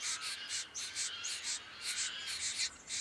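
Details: Diamond firetail in Victoria, Australia, November 2014, giving loud rasping, nasal bursts in quick clusters of two or three, separated by short pauses, with a hissy, broad texture.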